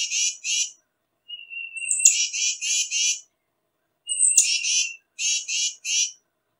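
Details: Tufted titmouse calling in harsh, buzzy, raspy bursts repeated in pairs and trios, each series opened by a thin level whistle and a very high piercing note, with short silences between series.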